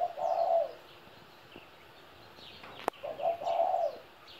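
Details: Two mellow coo phrases from a 17-year-old spotted dove, one at the start and one after a sharp click, with soft distant bird chirps between them.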